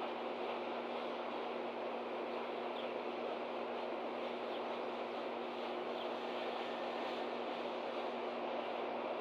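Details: Continuous broadband rumble like a running vehicle or engine fills the recording, with no animal sound heard.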